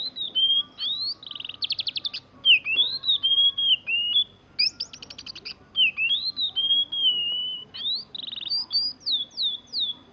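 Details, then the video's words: Oriental magpie-robin, kept as a hobby bird, singing a varied song of clear whistled phrases, slurred glides and rapid buzzy trills around a steady mid-high pitch, delivered in short bursts with brief pauses throughout. "Kicauan burung kacer"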